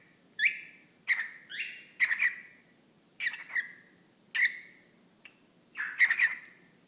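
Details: Pet whiteface lutino cockatiel, a male, talking to a small sock puppet held up for him, repeating a short phrase like "what you doing" in squeaky, buzzy bursts about every second, each syllable gliding down, in a quiet room.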